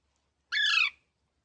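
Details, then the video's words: Green parrot giving a single harsh, buzzy squawk of about half a second, with downward-sweeping layered tones, against a silent background. "Funny Parrot Sounds"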